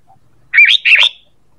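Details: Sooty-headed bulbul lure call: two loud, rich warbled notes in quick succession, each rising and falling, making a bubbly double phrase.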